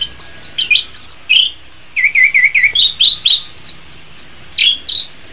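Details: Orange-headed thrush song for training other songbirds: a lively, continuous string of warbled and slurred whistles, some repeated in short runs, with high sharp accents.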